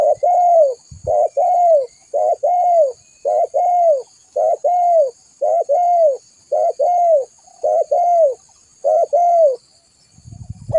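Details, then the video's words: Spotted dove call played to attract other doves: eleven evenly spaced phrases, each a short note joined to a longer arched coo, repeated roughly once a second before ending in low rustling. "Suara pikat burung tekukur"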